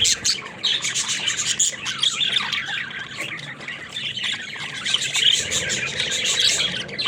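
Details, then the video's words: A group of pet budgerigars, said to be talking, fill the air with steady, rasping, high chirps and squawks that blend into one continuous babble. "Funny Talking Budgies"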